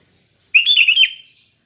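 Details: Relaxed 'ngeplong' song of a sooty-headed bulbul: one brief, rich, bubbly phrase of rolling whistled notes lasting about half a second, in clean silence.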